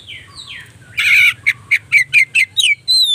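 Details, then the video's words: White-rumped shama lure song, phone-recorded, to raise a shama's excitement: descending whistles, then a harsh burst followed by a series of short evenly spaced chip notes ending in a high whistle. "Pancingan Burung Kacer"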